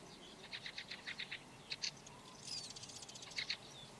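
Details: Red-backed shrike (Lanius collurio) singing: quick rows of short high clicking chirps in bursts, a thin whistled slur and rapid chatter mid-clip, then a final pair of sharp notes.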